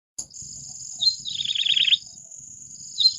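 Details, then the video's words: Yellow-bellied prinia gives a quick, buzzy phrase of rapidly repeated high notes lasting about a second, then a brief note, over a steady high insect-like drone. "សំលេងចាបដង្កូវពោះលឿង (Yellow-bellied Prinia)"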